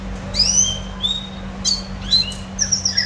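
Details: Pet red siskin, a single kept bird, singing: high, clear whistled slurs that rise, then fall, mixed with thin twittering notes in short bursts. A steady low electrical hum runs underneath.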